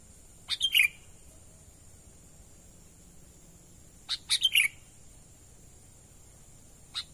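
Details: Sooty-headed bulbul natural call for attracting wild birds, two bubbly phrases of sharp chips and falling whistles about three and a half seconds apart, then a lone chip at the end; soft hiss throughout.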